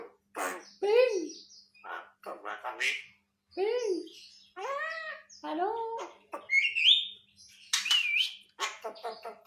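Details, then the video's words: Javan myna mimicking in a room: a jumble of croaky, arched, voice-like notes and bursts, ending in higher squeaky whistles, over a low steady hum. "jalak kebo istimewa bisa niru,in orang batuk"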